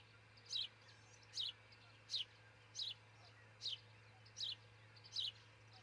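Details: Recorded at dawn on 22 June 2018 by a camera at an osprey pair's nest in Charlo, Montana: seven thin, high descending whistled chirps in under six seconds, steady and evenly paced, with a faint low hum beneath.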